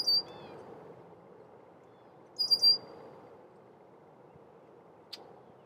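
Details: A male red-winged blackbird near its nest warns of intruders with brief, high, thin whistles, one at the start and another a couple of seconds later, then a faint click over a quiet outdoor background.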